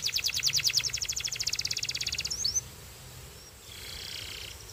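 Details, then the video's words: A Belgian canary delivers a fast, metallic, evenly pulsed trill for about two and a half seconds, adds a couple of short chirps, then falls silent apart from a soft hiss. "Belgian Canary Singing"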